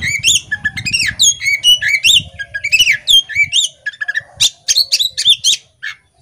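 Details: Lively song of a female Oriental magpie-robin that fans its tail as it sings. It delivers fast bursts of bright, upward-sweeping whistles and sharp chirps, with a faint low hum in the first half.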